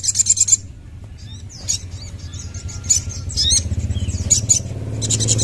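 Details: Crimson sunbird in lively song, opening with a fast high trill, then scattered thin squeaky chips and short trills, with a low rumbling engine-like hum underneath.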